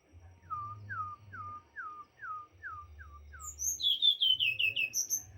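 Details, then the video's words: Singing white-rumped shama: eight even, down-slurred whistles repeated roughly twice a second, breaking into quicker, shrill, high-pitched phrases at the end, with a steady low hum behind. "Ocehan burung morae mini gacor"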